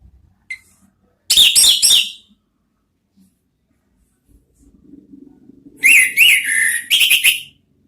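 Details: Twittering ngeriwik song of an orange-headed thrush, recorded in Indonesia as a lure: a brief chattering cluster of sharp notes, a long quiet gap with soft low hum, then a second burst of quick whistles and chips.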